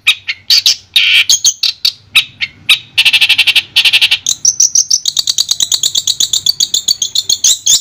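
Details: Long-tailed shrike song, meant as sound therapy for a shrike that has stopped singing: irregular harsh chattering bursts, then a dense buzzy stretch, then a steady, fast series of high, clear chirps.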